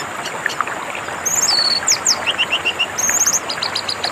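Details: Orange-headed thrush song, played with water sounds as therapy for birds that stopped singing: high clear whistles, sharp downslurred notes and a quick run of short repeated chirps, over a steady rushing-water background.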